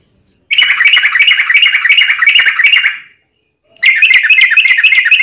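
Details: Long, rapid fighting song of a yellow-vented bulbul, the 'ropel panjang' style meant to stir other bulbuls to sing: fast repeated bright chattering notes for about two and a half seconds, a pause, then another burst.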